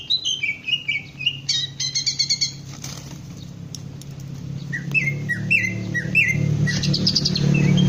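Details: Caged green leafbird in training to raise its crest and sing ngentrok style: quick sliding whistled notes and a burst of rapid stacked chirps, then more downslurred whistles, over a steady low mechanical hum that grows louder toward the end.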